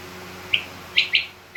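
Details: Female rain quail call in a mixed quail recording with king quail: a single short bright chirp, then a quick doubled chirp, then the start of another note, over a steady low hum.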